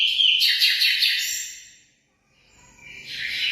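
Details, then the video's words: Munia, called emprit, singing a burst of dense high chirps and sharp whistled notes for over a second, then a pause of near silence before another bright trill starts. "suara burung emprit"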